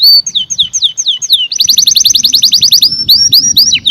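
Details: Canary giving slow down-slurred whistled notes, then a rapid layered trill and more swooping whistles; faint music may sit in the background.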